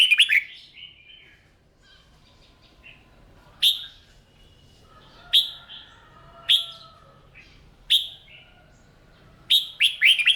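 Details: Red-whiskered bulbul in a cage, urged to sing during morning training: a warbled opening phrase, then single sharp whistled notes about every one to two seconds, closing with a quick flourish.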